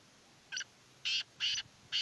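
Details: Sindhi teetar, or black francolin, calling with a series of four harsh, scratchy syllables. A short first note is followed by three longer rasping notes spaced about half a second apart, against faint background hiss.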